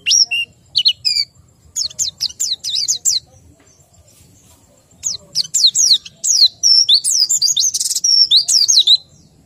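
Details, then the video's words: White-eye kept caged and low in breeding condition, giving bursts of rapid high chirps and twittering slurs, a brief pause near the middle, then a denser run of fast notes. "BEGINILAH BUNYI PLECI KURANG BIRAHI atau KURANG KENCENG"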